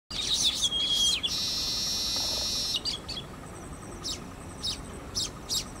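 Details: Baya weaver at Emaar Imperial Garden, Dwarka Expressway, Gurugram, India gives high chattering chirps, then a long wheezy buzz, followed by sharp chips about every half second.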